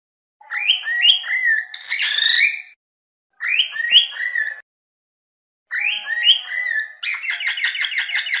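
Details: Repeated phrases of stepped, climbing cockatiel whistles separated by silences. The final phrase runs into a fast, buzzy, pulsing trill of high notes.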